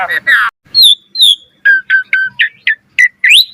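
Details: Asian pied starling singing for other starlings to learn from: a run of short clear whistled notes, some rising and falling, spaced about a quarter second apart after a rough opening burst.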